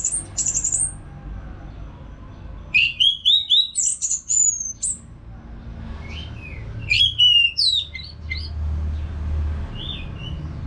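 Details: Caged orange-headed thrush from Singaraja, Bali, in continuous song: a high opening whistle, then a quick series of rising chirps and drawn-out high whistles, a rapid burst of notes later, and soft fading whistles at the end.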